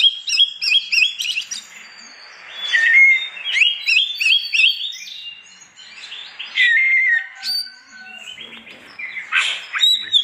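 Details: Morning song of an Oriental magpie-robin meant to stir rival magpie-robins into singing; dense mix of quick whistled notes, slurred rising and falling phrases and squeaky flourishes, delivered continuously.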